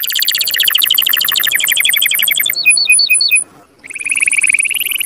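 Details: Canary singing to encourage mating, rapid high-pitched trills changing pace, then a few separate sweeping notes, a brief pause and a return to dense rolling trills.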